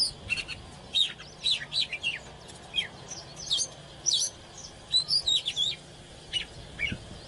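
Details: Oriental magpie-robin in fired-up singing with display, giving scattered short chirps, sharp whistled notes and brief buzzy bursts at irregular intervals, with soft low background noise between phrases.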